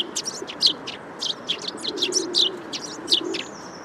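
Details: Eurasian tree sparrow call sequence of busy, high, sharp chirps delivered steadily, several per second, with a low cooing hum of doves underneath.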